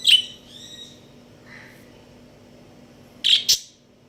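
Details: Budgerigar breeding pair chirping: sharp broadband chirps at the start, a few soft warbled notes after, then a quiet stretch before two loud harsh chirps close together near the end.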